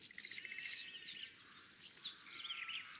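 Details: Pale-crowned Cisticola (Cisticola cinnamomeus) in southern Africa calling: two quick, high, buzzy chirps half a second apart, then a softer run of thin, high twittering notes.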